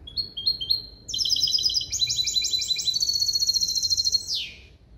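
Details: Goldfinch–canary hybrid, trained for pure limpio phrasing: a few rising chips lead into dense, ringing high trills, then a long buzzy note sliding downward to end the phrase.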